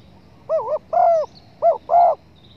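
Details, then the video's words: Spotted dove call used as a lure for hunting. Four loud mellow coos: a wavering note and a sustained note, then a short note and another sustained coo, with quiet background. "pancingan suara burung TEKUKUR"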